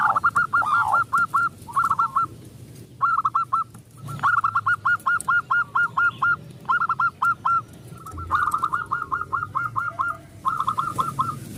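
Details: Zebra dove of local type, singing vigorously as a lure to make other doves sing: clusters of quick, bouncing coo notes in bursts of five to ten, separated by brief pauses.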